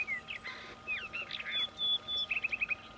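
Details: Juvenile rufous-tailed rock thrush uttering varied squeaky, slurred notes and thin whistles, ending in a quick series of four or five short repeated chips, with a faint steady hum behind.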